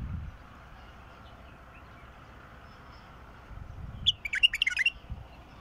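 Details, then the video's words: Wild bulbul song: after a long quiet stretch with faint low rumbles, a single quick phrase of chattering, warbled whistles comes near the end. "تغريد بلبل وحشي"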